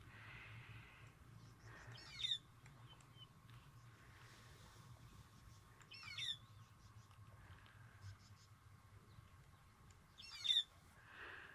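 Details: White-headed Buffalo Weaver in the Masai Mara on a morning, a large chunky weaver often in flocks, giving short, high squeaky phrases about every four seconds, with soft chattering of other birds and a low background hum.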